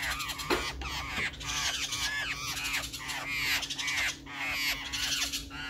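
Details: Black-faced laughingthrush recorded 12 June 2020, giving harsh, arching, slightly nasal calls that overlap in a busy chatter, roughly one a second, over a steady low hum.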